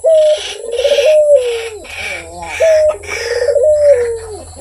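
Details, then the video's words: Barbary dove (puter) in active voice: two throaty, rolling coos, each led by a brief clear note and sloping downward, with rhythmic higher hissing bursts alongside. "SUARA BURUNG PUTER GACOR || BERSUARA MERDU"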